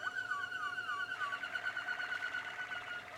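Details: Young Waterslager canaries, Malinois type, from 2016: gurgling, water-like rolling song with low liquid trills and descending glides, held on a steady tone throughout.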